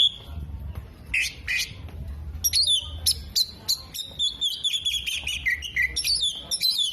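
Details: Oriental magpie-robin in energetic song while opening its tail, borrowing phrases of kolibri, jenggot and lovebird: a few scratchy bursts, then a dense stream of high twitters and a descending wavering whistle.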